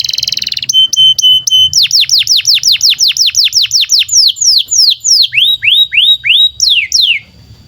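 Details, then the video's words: Singing canary, long lively tutor song for young canaries and for birds that have stopped singing: opens with a buzzy trill and a few flat whistled notes, then a long series of steep descending swoops, about four per second. "SUARA BURUNG Kenari GACOR PANJANG INI Cocok untuk Masteran KENARI PAUD dan Kenari Macet BUNYI"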